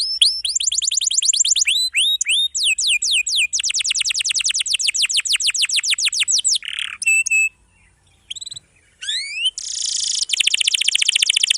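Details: Energetic canary song of long rolls with dense filling: fast trills of down-slurred notes shifting pace, a short pause, then upswept whistles and a buzzy high roll. Recorded as a tutor for young or silent canaries.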